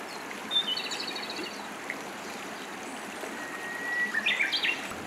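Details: A Japanese robin in Hiroshima in 2019 gives a long thin whistle that breaks into a quick, rattling burst of higher notes, over a steady trickling stream.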